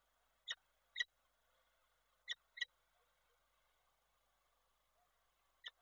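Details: Peregrine falcon on a nest in Koszalin, 28 January 2024, female calling as the male visits; sparse, sharp harmonic notes in a pair, a close double and a lone final call across six quiet seconds.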